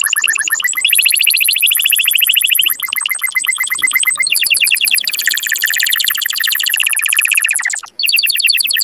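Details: Canary song used to stimulate males and excite females toward mating: a continuous high trilled warble built from rapid repeated syllables, switching between distinct tours of fast pulses and rolling trills with one brief pause near the end.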